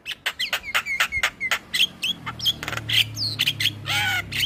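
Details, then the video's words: Luring song of a male black-winged starling: a steady series of short sharp squawks and chips, then harsher louder notes and a nasal descending call, with a low hum in the background. "Ocehan Jalak Kebo Jantan Untuk Pancingan Segala Jenis Burung Jalak"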